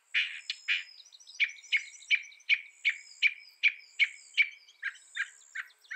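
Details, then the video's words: Northern mockingbird delivering a steady series of short chirps, roughly three per second, each with a sharp upper click, several harsher buzzy notes at the start and end. "Northern Mockingbird Bird Sound Bird Song"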